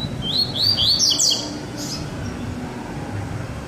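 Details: Double-collared seedeater, one of a pair, sings a tight burst of high, rapidly alternating slurred notes in the first second and a half, baderna style, then silence.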